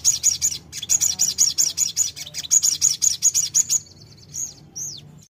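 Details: High, rapid bulbul chirps from a sogon used to provoke a fighter bird into answering, repeated in quick even bursts for several seconds, ending with a couple of clear arched whistles.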